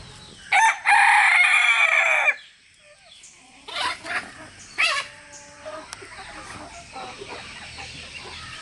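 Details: Rooster crow used as communication between three roosters and their hens: a loud, harsh, harmonic crow lasting under two seconds, then a pause, scattered shorter calls and faint background clucking.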